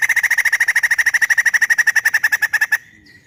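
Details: Loud voice of a kept white-crested laughingthrush from a bird collection: a fast, even run of about thirty harsh chattering notes, some six per second, lasting nearly three seconds before stopping abruptly.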